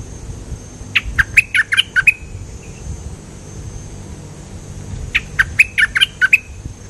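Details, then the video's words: Cream-vented bulbul giving two bursts of chattering, bubbly song notes about four seconds apart, each phrase a rapid run of short warbled notes ending in a brief trailing whistle. "Suara pikat merbah lekir gacor"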